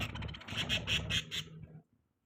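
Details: Budgerigar chirping: a quick run of about six harsh, rasping chirps over roughly a second, each squawky note close on the last, over a low background rumble, then falling silent.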